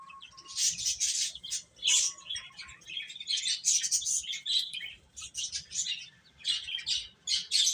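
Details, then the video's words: Domestic chicken chicks chirping as a crowd, dense overlapping high, shrill peeps in rapid bursts, pulsing louder and softer every second or so, with a faint lower whistle near the start. "Cute Chicks Chirping Sounds"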